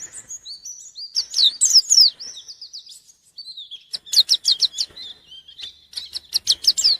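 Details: White-eye in gacor form challenging a rival: thin high whistles and slurred phrases, followed by bursts of rapid sharp rising notes with short breaks between them.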